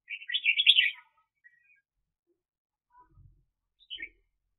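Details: Decoy red-whiskered bulbul from a 2021 bird-trapping season, one loud, rich warbled phrase followed by silence, a faint thump and a short final note.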